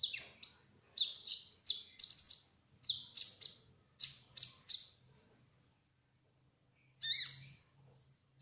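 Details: A young (speckled 'trotol') sunbird singing continuously: a fast run of high, thin chirping phrases, about two per second for five seconds, then one more burst after a pause.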